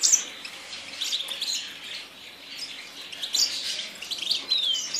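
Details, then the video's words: Song of a Yasmin bird: bright, high-pitched twitters and sharp chirps, quieter in the middle and busier toward the end, with a quick falling whistle near the close. "تغريد طائر ياسمين"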